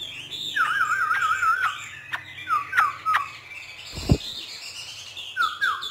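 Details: Hwamei trained by a northern Vietnamese artisan for 'hót thả' free song; wavering zigzag trills and short slurred whistles repeat, broken by a single thump midway, over faint background hum.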